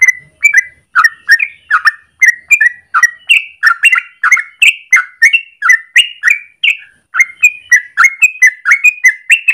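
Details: Yellow-vented bulbul in the morning giving a long, continuous rapid song used as a lure or master for training birds: bubbly, fluty notes in quick succession, some rising, others dropping, without pause throughout.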